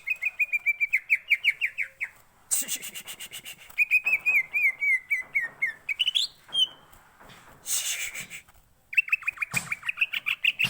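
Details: ['Green leafbird singing ngentrok style as a lure for singing: runs of fast, high, wavering whistled notes broken by harsh noisy bursts and chattering, with a brief rising whistle.']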